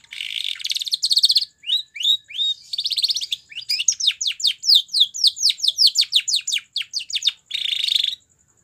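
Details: Song of a Spanish Timbrado canary for training, mixing buzzy metallic trills with runs of rapid falling whistled notes and a closing rolling trill; very clean, quiet background.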